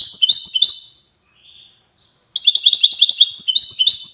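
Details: European goldfinch of the Wydani type from Safi, Morocco, singing rapid tinkling, high twittering notes in fast repeated bursts, with a short pause midway before a second lively run.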